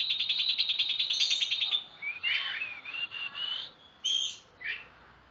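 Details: Oriental magpie-robin singing loudly, used for tutoring songbirds: a fast, even trill of repeated high notes, then clear whistled phrases sliding up and down and sharp high chips.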